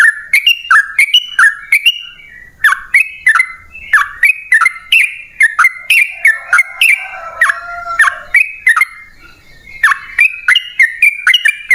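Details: Yellow-vented bulbul in long rapid 'ropel panjang' style, a lure to get caged birds singing: bright chirpy two-part phrases rising and dropping, delivered in quick continuous runs with crisp clicking attacks and brief pauses.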